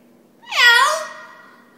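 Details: A pet parrot meows when asked what a kitty says: a single drawn-out, cat-like meow, nasal and harmonic, dipping then rising and fading over about a second, with faint room hum behind.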